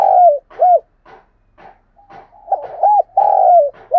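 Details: Spotted dove cooing to lure wild doves to the decoy perch: mellow, low coos gliding down, given in short phrases with brief gaps, several louder drawn-out notes near the end, softer fainter coos between.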